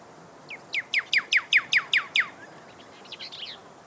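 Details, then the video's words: Desert cardinal (pyrrhuloxia) song: a rapid series of about eight clear, steeply falling whistled notes, rising in loudness then stopping, followed by a faint softer twittering. "Pyrrhuxolia Sound Bird Song"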